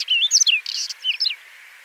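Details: Whinchat giving one brief, fast warbling phrase of varied whistled notes, some sliding down in pitch, with a short scratchy burst in the middle, then silence.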